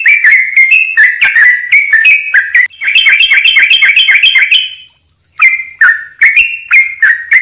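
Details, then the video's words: Sooty-headed bulbul in full song, delivered with tight pauses and dense filler notes; sweet whistled two-note phrases dropping in pitch, then a quick chattering run, a short silence, and the clear whistles return. "trucuk gacor buat masteran jeda rapat full isian"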